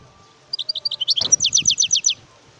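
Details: Song of a wild European goldfinch: a string of high tinkling notes that speeds into an evenly repeated series of chirps, with a single sharp click partway through and soft low rumbles behind.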